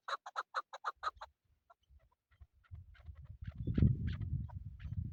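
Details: Hunting chukar partridge gives a quick burst of about eight sharp clucking notes at the start. The calls then stop and are replaced by low rumbling and handling noise.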